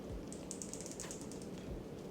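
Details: Crimson rosellas feeding by a soggy heathland walk at Cape Conran, East Gippsland, Australia: faint, dry clicks and crunches in quick, irregular bursts over a low, steady rumble, first guessed to be parrots crunching something.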